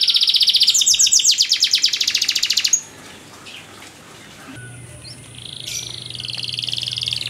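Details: Canary singing a training master song with luxurious variations: fast trilled phrases of high, evenly repeated notes for almost three seconds, then near silence with faint high whistles and a low hum.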